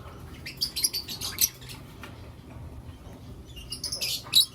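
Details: Lovebirds of blue opaline and lutino opaline colouring chirp in the morning: clusters of rapid, bright, high twittering notes at the start and end, with a quieter gap in between.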